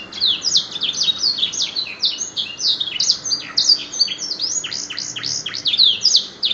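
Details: Caged competition-winning canary singing a black-throat-style imitation song: a fast, continuous stream of high, sharp chirps and down-slurred whistled notes, tumbling without pause over a faint low hiss.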